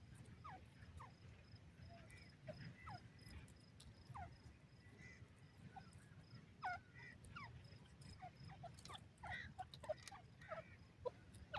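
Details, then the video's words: Grey francolin, a local partridge, calling in a rustic setting with a steady run of brief sliding notes, a few per second, that grow busier near the end; a faint high pulsing tone and low rumble sit behind. "dasi tetar ki awaz,teetar sound,partridge bird awaz"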